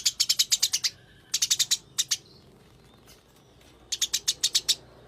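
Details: Fighting Eurasian tree sparrow giving rapid runs of bright, high chirps, three bursts of five to eight notes with brief gaps between them, the chirps clear and loud.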